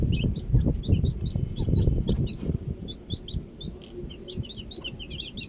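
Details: Baby chicks outdoors give high, short, descending cheeps in quick irregular series, thickening toward the close, while strong low rumbling and knocking noise fills the first half.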